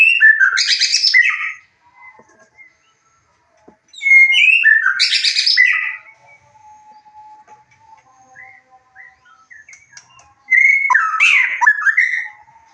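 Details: White-rumped shama song used as a lure to raise a bird's excitement and urge to mate so it answers and shows its full repertoire: three loud bursts about every five seconds, mixing clear sliding whistles with harsh buzzy notes, faint whistles between.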